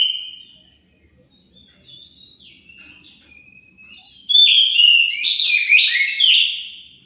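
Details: Oriental magpie-robin singing to prompt rival birds to reply: soft drawn-out whistles and gliding notes at first, then a loud burst of rich, rapidly changing warbled and trilled phrases.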